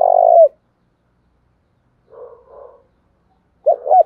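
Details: Spotted dove (cu gáy) cooing, a recording meant to stir wild doves into cooing quickly: a loud, low, hollow coo opening, softer muffled coos midway, then a doubled coo at the end, with silence between.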